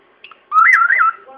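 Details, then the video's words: Pet bird whistling the theme tune of The Good, the Bad and the Ugly, mimicking it: a brief, clear, mid-pitched whistled phrase with a quick wavering rise and fall, indoors in a quiet room. "Bird whistling The Good, The Bad and the Ugly"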